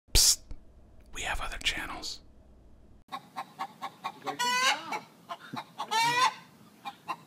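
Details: A hen's egg song right after laying an egg: quick clucks building into two loud, drawn-out, nasal 'ba-gawk' cackles; a person's voice is briefly heard near the start.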